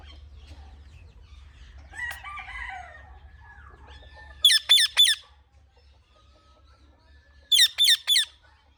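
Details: Indian ringneck parrot chirping naturally. Two loud bursts of three sharp, shrill, downward-sweeping notes in quick succession, about three seconds apart, follow softer warbling chatter. The background is quiet and there is no music.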